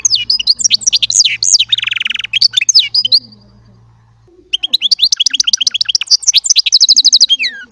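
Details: Chardonneret song from a small Baster goldfinch: dense, high, liquid twitters and a harsh buzzy rasp, a quiet gap of over a second, then quick repeated tinkling notes with a faint low hum beneath.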